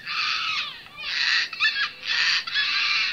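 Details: Sulphur-crested cockatoo near Darwin, at St Lukes Church in Gray, Palmerston, Northern Territory, uttering a continuous series of harsh, noisy screeches, each roughly half a second, with barely any gap between them.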